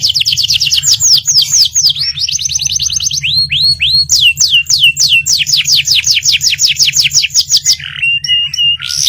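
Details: Canary singing gacor ngerol nembak, long unbroken rolls of quick high trilled notes shifting between fast and slower slurred phrases, ending in harsh buzzy notes and short whistles, with a faint constant low hum.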